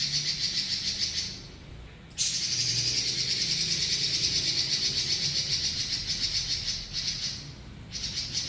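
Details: Robin giving long rolls, the ngeroll panjang style: a high, dense rattling buzz, broken by a pause, then a sustained trill of nearly five seconds with quick regular pulses, followed by shorter bursts; faint low hum.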